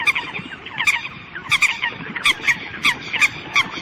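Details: Eurasian coots calling to the flock: short, sharp, nasal notes repeated in quick irregular bursts, several birds overlapping over a steady background hiss.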